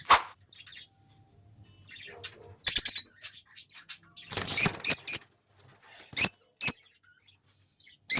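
Lovebird giving shrill, scratchy chirps and squeaks in short irregular bursts, some in quick doubled notes, with quiet pauses between.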